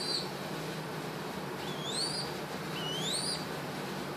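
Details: A male Red-whiskered Bulbul kept since he was orphaned sings as he dances and is massaged. Two sweeping upward whistles are spaced about a second apart over a steady indoor background hum.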